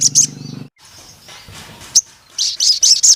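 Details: Sogon (crimson sunbird) singing gacor, very high thin buzzy trills in short bursts separated by gaps, with a low humming noise at the start.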